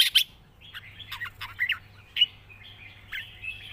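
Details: Red-whiskered bulbul song, quieter and more broken: scattered short chirpy whistled notes and brief warbled phrases over soft background chatter.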